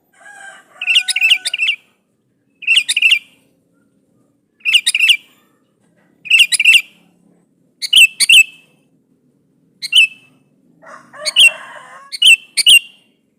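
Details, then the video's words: Lively sooty-headed bulbul calling out a rival to make it answer: short clusters of three or four quick, liquid chirps repeated every two seconds or so, ending in a busier, slightly scratchy phrase. "SUARA BURUNG KUTILANG GACOR MEMANGGIL LAWAN INI"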